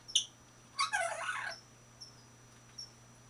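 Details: A 21-year-old female African grey parrot in a cage shared with a Senegal parrot, a blue-fronted amazon and a cockatiel, recorded April 2011: short high whistles, then a half-second burst of harsh, rich chatter, with a steady low indoor hum.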